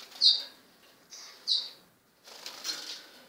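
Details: Two 16-day-old lesser goldfinch chicks, subspecies jouyi: thin, high, slightly falling begging notes given singly about every half second, then a burst of broad rustling and fluttering noise.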